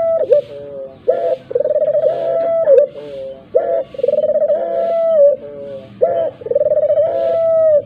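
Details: Dove calling as bait to get other doves vocalising: a run of four long, quavering coos, each begun by a brief upward-sliding note and ending with a softer dropping tail.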